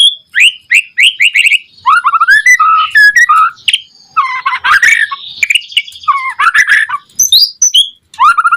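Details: Lively song of a white-rumped shama, used to coax other shamas to sing: quick repeated whistled notes, lower rising slurs, then dense scratchy chattering mixed with whistles, ending in a fluty downward phrase.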